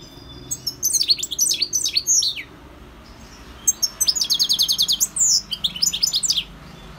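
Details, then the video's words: European goldfinch singing: two bursts of rapid twittering, liquid and tinkling, made of quick repeated rising and falling notes with buzzy trills, separated by a pause of about a second. "GOLDFINCH SINGING 1H Chant Chardonneret اسمع واستمتع صوت الحسون البري Jilguero Campero"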